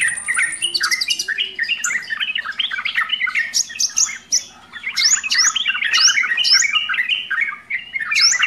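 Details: Full-content song of a sooty-headed bulbul: busy warbling phrases of short bubbly notes, mixed with sharp upward-flicking whistles and a thin high sustained tone at the start.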